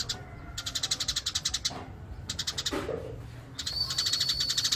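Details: Eurasian tree sparrow singing naturally: quick trains of sharp chirps broken by pauses, one lower rasping note midway, and a sustained thin high note closing the phrase.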